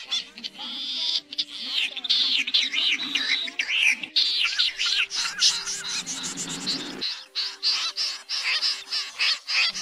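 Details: Common snipe lure sound for night net trapping, August 2024: many overlapping rasping, chirping calls as from a flock, rapid and high-pitched throughout, over a steady low electronic hum.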